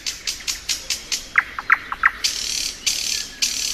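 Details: Thrush nightingale singing in spring: a rapid series of sharp clicking notes, then loud harsh chopped notes repeated about every half second, with thin high whistles from another bird behind.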